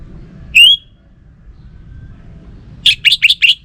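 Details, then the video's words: An orange-headed thrush (Geokichla citrina) gives one rising, sweet whistle, then after a pause a quick run of four or five bright, jumbled notes over a low background hum. "Burung ANIS MERAH Lansung Nyaut Gacor Tanpa Henti"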